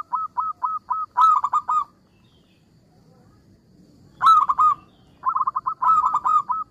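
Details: ['Actively singing local zebra dove, its small melodious voice said to provoke rivals into replying: evenly spaced staccato coos leading into a tight rolling cluster, a long silent pause, then more rapid bubbling phrases ending in a spaced series of notes.']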